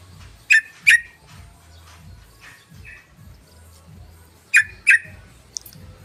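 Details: Yellow-vented bulbul lure call meant to draw in other birds: a pair of sharp, clipped notes, a pause of several seconds, then another quick pair, with faint chatter and a low background hum between.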